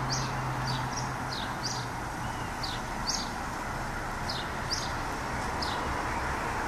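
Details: A House sparrow (Passer domesticus) in a tree gives short, bright chirps in irregular bursts, roughly two or three a second, over a steady rumble of traffic or wind.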